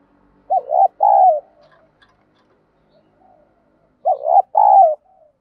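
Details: Spotted dove song in the giọng đồng style, used as a lure to stir decoy doves into cooing and fighting; two full coo phrases roughly 3.5 seconds apart, a clipped rising pair of notes leading into a drawn-out falling coo.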